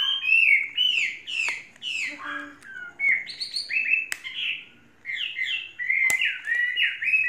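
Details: Chinese hwamei kept caged and trained three seasons, singing varied loud whistled phrases with slurred notes and short chattery bits, a brief quiet gap near the middle and a few sharp clicks.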